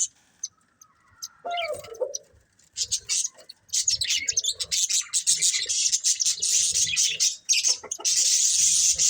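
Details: Chirping of a budgerigar breeding pair: a few scattered chirps and a short low warble, then steadily building dense high chatter that grows loud and near-continuous.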